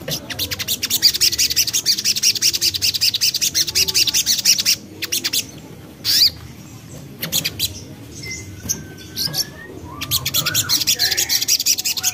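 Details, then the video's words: Young common iora sound used as a lure for birds to sing: dense runs of very high, rapid chattering notes, pausing, with a few short sliding whistles, then the rapid chatter returns. "Ampuh Untuk Pancing Bunyi Burung Sogon Bahan / Sogok Ontong Muda"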